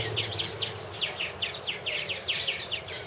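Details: Colony of purple martins calling at nest houses, 2014 cam footage: rapid repeated downslurred chirps and rattly notes from several birds, almost continuous, over a steady low hum.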